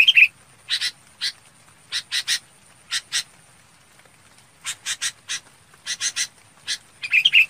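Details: A red-whiskered bulbul summons the flock with a long series of short, harsh double and triple notes at irregular intervals, opening and ending with sweet warbled whistles.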